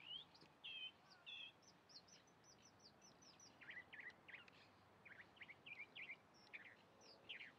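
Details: Chalk-browed mockingbird song: a few rich harmonic notes, then a rapid chatter of high thin notes, followed by scratchy varied phrases of differing pitch, with faint background hiss.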